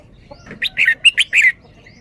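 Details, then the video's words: Red-whiskered bulbul in its 'double' song style: a tight phrase of five or six clear, bright chirped notes, the last longer and slurred, with faint background hiss. "นกกรงหัวจุก จ้าวมารวย แบบ เบิ้ลเบิ้ล"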